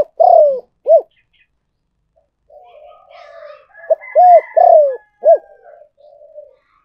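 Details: Spotted dove call for luring: a deep arched coo, then a short one. After faint murmuring, a full phrase follows: clipped note, two rounded coos, a falling croo and a final short coo. Thin higher chirps sound faintly behind it.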